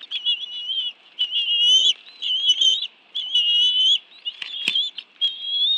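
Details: Shrill, slightly rising whistles repeated in phrases about a second long, from bald eagles feeding on fish at their National Arboretum nest in Washington, D.C., 11 June 2017, 2:23 PM, with two adults and two young present; brief clicks between.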